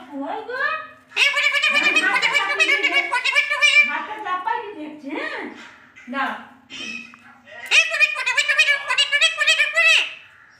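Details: Talking Alexandrine parakeet, a bird taught to speak, gives long runs of high, wavering, nasal speech-like phrases. There are two main bursts with a short pause between them.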